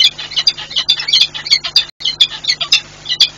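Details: Wild peregrine falcon pair alarm calling near a chimney nest site in Płock, Poland, on 7 March 2022, with no intruder in sight; shrill, grating squawks come in quick uneven series, pausing briefly midway.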